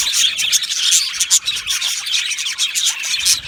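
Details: An aviary colony of Australian budgerigars chirping together: a busy stream of quick high tweets and trills with brief dips in loudness.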